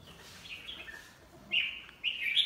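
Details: Tame red-whiskered bulbul let out of its cage: thin, drawn-out whistles at steady pitch, two brighter phrases near the end, over a background hiss.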